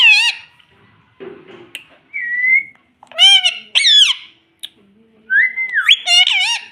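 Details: Indian ringneck parrot chick at home mimicking speech such as "mummy", giving rich, raspy harmonic syllables, a level whistled note and a rising whistle ending in squawky words, with short pauses.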